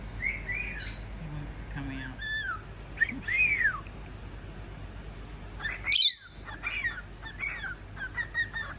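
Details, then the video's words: Pet male cockatiel whistling and chirping: varied clear whistles, some rising and falling, mixed with short chirps and squawky notes, a loud burst near the middle, with a low background hum and a person's voice faintly present. "Ever heard a cockateil whistle like a telephone?"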